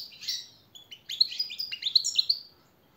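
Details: Short burst of goldfinch training song for captive birds, a few soft chirps followed by a quick sequence of sharp, tinkling twitters fading out.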